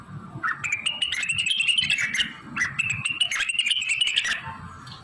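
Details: Blue-winged leafbird singing continuously with mimicked fill-ins of magpie-robin, canary, prinia, ciblek, kapas tembak and cililin; two long phrases of rapid crackling clicks over a rising, warbled tone, separated by a brief pause, with soft low noise beneath.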